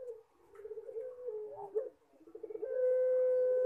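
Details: Puter pelung collared dove giving rippling, gurgling coos that lead into a loud, pure, sustained note held to the end, in the eerie "horror" singing style.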